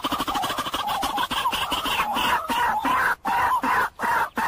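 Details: Moorhen calling steadily in rapid, harsh clucking pulses that merge into a continuous chatter, with a few short breaks near the end; sound played for bird trapping.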